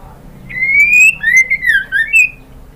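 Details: Female white-rumped shama calling a male, used to stir males into full song: a long rising whistle followed by looping, wavering whistled notes with sharp high accents.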